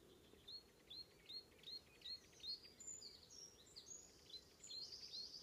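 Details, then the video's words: Icterine warbler on Ameland, Netherlands, north of Hollum, morning of 19 May 2016: evenly repeated short high upslurred notes about two per second, then a rising buzzy trill at the end. "Icterine warbler / Hippolais icterina"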